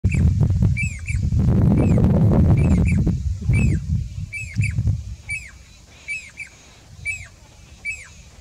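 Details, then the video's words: A Pied (Jacobin) cuckoo singing a series of clear, ringing whistles that arch up then drop, about once or twice a second, over low rumbling noise early on. "Pied Cuckoo singing"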